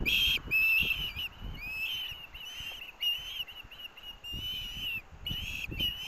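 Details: Osprey chicks vying for parent-delivered fish at a University of Montana nest, Missoula, August 2024: insistent, drawn-out shrill whistles, some rising and slurred, overlapping in bursts, with short pauses between bouts.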